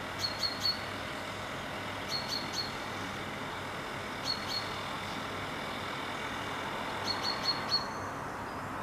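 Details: Juvenile common chaffinch calling in a tree, giving short, sharp, high calls in quick groups of three every two to three seconds over steady traffic rumble.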